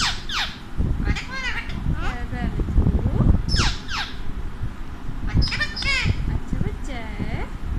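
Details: Alexandrine parakeet, an Indian parrot, mixes harsh squawks that sweep down in pitch with garbled, speech-like talking phrases, over constant low rumbling noise.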